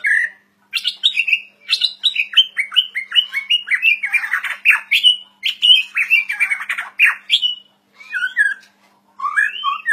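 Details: White-rumped shama delivering a rapid string of bright, high whistled notes and chattering slurs in quick succession, then a few looping phrases after a short pause, recorded cleanly.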